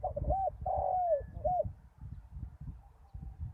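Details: After a storm, a decoy spotted dove on open ground coos once at the start: a quick hooked note, a long downward-sliding coo, then a final curved note. The rest is low rumbling noise.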